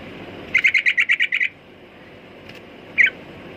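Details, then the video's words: Sooty-headed bulbul uttering a rapid string of about eight even, bright chirps in just over a second, followed by a single sharper note after a pause. "Burung Trucukan"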